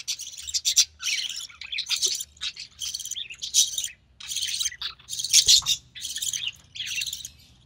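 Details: Recessive pied budgerigar chick, hatched in early June 2020 to a white recessive pied father and albino red-eyed mother, calling while its mother feeds it; harsh raspy bursts repeat in quick succession, about eight bursts in under eight seconds.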